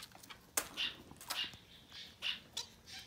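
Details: Young Society finches, chicks no older than ten days, produce soft hissing, buzzy calls repeated about every half second, with sharp clicks between them in a quiet indoor setting.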